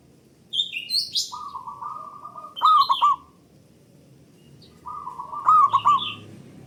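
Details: [5, 'Two phrases of rapid low cooing from a local zebra dove used to stimulate other doves to sing, each building into a louder rippling roll, with scattered high chirps from small birds.']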